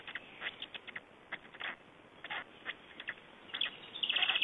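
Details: Black stork chicks at a nest in Estonia during a feeding, recorded 21 May 2012: scattered short raspy pulses, then a quick rhythmic train of bright, closely spaced notes near the end over steady hiss.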